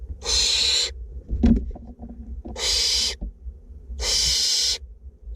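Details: Two barn owlets at feeding time in a north Glasgow nest box give three rasping hiss-screeches, with soft scuffling clicks and knocks in the pause between the first two.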